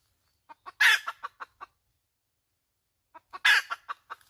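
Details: Hen call: a few soft clucks, a sudden loud, rough squawk, then a run of quick clucks. After a quiet gap of about a second and a half the whole pattern repeats.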